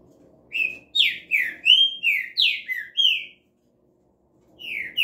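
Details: Green-winged saltator from an office setting, singing a run of loud, rich whistled slurred phrases, some falling and some rising, about seven notes in quick succession, then a pause and a fresh start.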